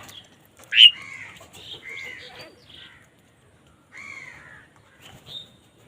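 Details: Crows fighting for food, giving loud harsh caws: one sharp burst, then a run of hoarse nasal caws in quick succession, a pause, and a few more drawn-out caws near the end.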